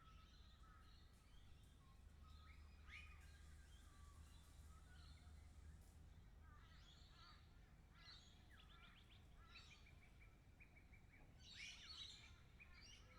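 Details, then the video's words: Lorikeets recorded in 360 VR, a busy chorus of harsh, screechy chattering calls overlapping in bursts, with a steady low rumble of background noise underneath. "360 VR sounds of lorikeets"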